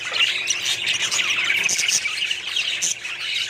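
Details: Small budgerigar colony in full chorus, a dense run of squawks, chirps and warbled chatter from numerous birds, loud and continuous throughout.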